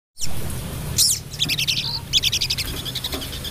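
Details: A female crested jay, described as an active caller calling to males, gives a couple of sharp, high downslurred notes, then fast, dry rattling bursts of high chattering notes, over a steady low hum.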